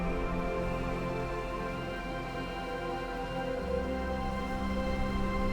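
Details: Steady instrumental background music with sustained tones throughout and no animal calls.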